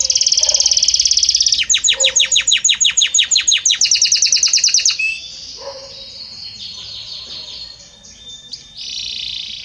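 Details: Belgian canary song with varied notes and a harmonious voice: bright high buzzy trill, then fast rattling downward-sweeping notes, shifting gradually into softer, thinner phrases and a closing buzzy note.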